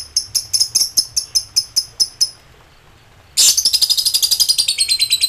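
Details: Lovebird in high excitement, calling out to rivals: a row of evenly spaced shrill chirps, a short pause, then a sudden burst of fast, dense ngekek chatter.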